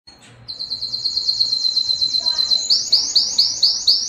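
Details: Belgian canary singing a long rapid trill of high notes that slides gently upward, then breaks into a slower series of repeated sweeping notes near the end.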